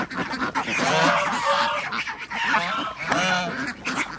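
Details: Ducks on an organic village farm in Andhra Pradesh at feeding time, kept with chickens and geese: many overlapping nasal honking quacks with rich stacked harmonics, a dense continuous chorus of birds calling over one another.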